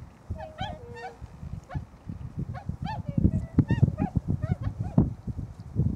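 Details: A small flock of wintering Tundra swans at Nonaka, Toyama city, Japan, around noon on 13 December 2011. Nasal honks and bugling notes come scattered from several birds over a heavy, constant low rumble.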